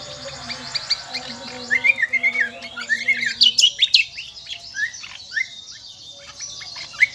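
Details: Kecial kombo, endemic to Lombok island, singing in a lively shrill manner: rapid jumbled whistles and upslurs climbing into high piercing notes, tapering to scattered chirps.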